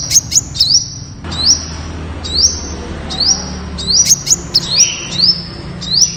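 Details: High-pitched sunbird song, Temminck's sunbird from Malaysia: clusters of sharp ticks and quick hooked whistles, followed by evenly spaced rising notes that level into a thin sustained tone.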